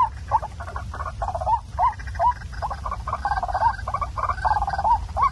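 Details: Waterhen calling, used as a night-time lure for trapping: a fast, uneven chatter of clipped rising notes packed closely together, with a constant low rumble underneath.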